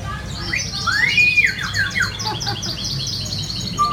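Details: An African grey parrot at a restaurant in Meteora, Greece, gives a single loud, rising-then-falling, meow-like whistle imitating a cat, then softer chirps and a brief whistle over low noise.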